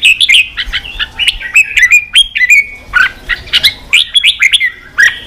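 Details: Red-whiskered bulbul song played to spur wild-caught birds into fighting and full voice; bright warbled phrases around two to four kilohertz, quick slurred notes and rising-falling whistles in bursts with short gaps, sharp clicks between phrases.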